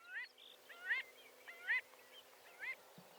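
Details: Marbled godwit heard at a distance, soft nasal rising notes repeated about once a second over steady background hiss and a low hum.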